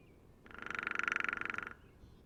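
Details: Hairy woodpecker (Dryobates villosus) drumming a single fast, even roll of about twenty-five taps in just over a second, ringing and hollow, with quiet background hiss before and after.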